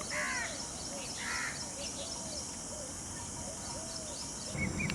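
Indian peafowl giving two loud, harsh, nasal calls about a second apart, followed by fainter thin calls over a steady outdoor hiss.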